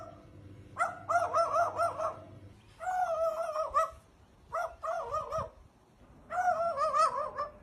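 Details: Crow imitating a dog's voice: four bursts of harsh, wavering, bark-like calls with rough overtones, each lasting about one second, separated by short pauses.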